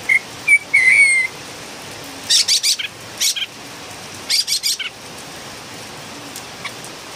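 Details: Philippine bulbul singing, described as really noisy: a few clear whistled notes near the start, then clusters of harsh, rasping bursts in two groups, with pauses between.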